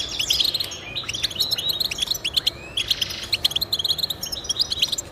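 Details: Rapid, sweet twittering from a European goldfinch, meant to encourage caged goldfinches to sing. Tinkling notes and quick chirps follow one another almost without a break for the whole five seconds.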